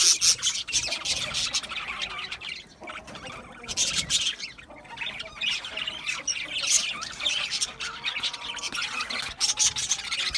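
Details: A group of budgies keeps up busy, high-pitched chatter, with rapid twittering notes and harsh squawks that swell and fade, dipping briefly near the third second.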